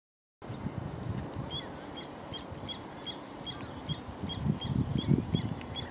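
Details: Little ringed plover giving a steady series of short, high, thin whistled notes, about three per second, over constant low rumbling background noise that grows louder toward the end.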